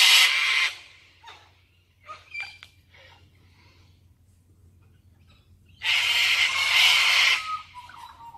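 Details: Cockatoos filmed in Oxley Avenue give two long, loud, harsh raspy screeches, one at the start and one near the end. Quieter scratchy calls come between them over a steady low hum.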